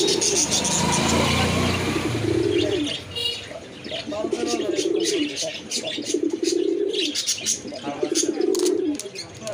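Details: Pigeons coo in low, burbling phrases repeated roughly every two seconds, each a rounded throaty roll, while sharp high chirps of other birds and steady background noise continue throughout.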